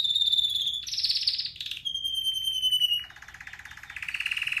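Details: Red factor canary singing for training: a clear whistled tone, a loud rapid trill, a long pure falling whistle, then a lower, softer buzzy roll that rises into a bright trill.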